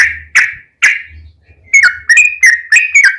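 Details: Three emphatic, slightly buzzy notes open this yellow-vented bulbul lure song, then a quick series of slurred liquid whistles follows after a short pause.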